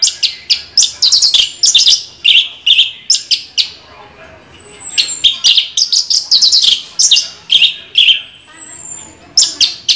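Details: Orange-headed thrush with a continuous rolling song of rapid sharp chirps and clipped phrases repeated about twice a second, plus a thin high drawn-out whistle sliding down twice.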